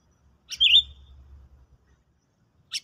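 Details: Sooty-headed bulbul tested as a trapping lure after being dosed with a stimulant: one sharp click-led whistle that dips then lifts, followed by a low hum and the start of another note at the end.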